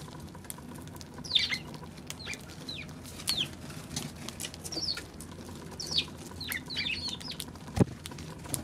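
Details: Eurasian tree sparrow, 16 March: scattered high, slurred chirps, sometimes doubled, repeated irregularly over a low background rumble, with one sharp knock near the end.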